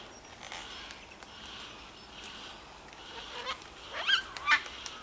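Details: Wild yellow-tailed black cockatoos, a flock of about 20, met while walking in the bush on Phillip Island. Faint, drawn-out wailing calls sound in the distance, then a few louder, harsh, sweeping calls near the end.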